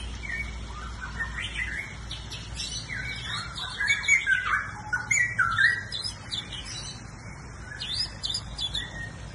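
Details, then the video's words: A bird sings busy chattering phrases of harsh squawky notes mixed with sharp chirps, louder bursts in the middle, over quiet background noise. "Singing bird"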